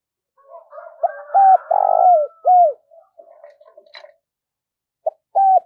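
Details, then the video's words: Decoy spotted dove cooing to attract competing wild birds. A full phrase of hooted and buzzy coos ends in a falling note over faint background rustling and a soft click, then a new phrase begins. "Chim Cu Mồi Thúc Và Gáy Gọi Cực Đỉnh"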